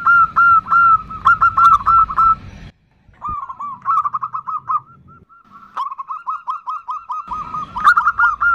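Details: Female zebra dove calling to the male with its 'nutut' call: quick series of short, clipped cooing notes, repeated rapidly in an uneven rhythm with brief pauses, over a low rumbling background in parts.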